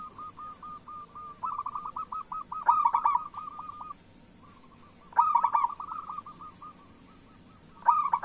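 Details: Singing local zebra doves, a recording meant to stir other doves into song: strings of quick, soft coo notes broken by loud, rich rolling phrases about every two and a half seconds.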